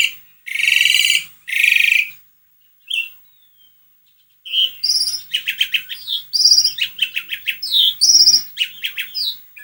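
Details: Asian pied starling song used to coax another bird into singing: two long harsh buzzy bursts, a pause, then a rapid varied run of whistled and chattering notes with rising and falling slurs.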